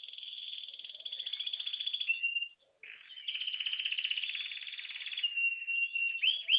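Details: Ringed brown-yellow canary singing: long, rapid, rolling trills held for over two seconds each, a short pause, then another extended buzzy trill ending in quick rising whistled flourishes, with no other sounds.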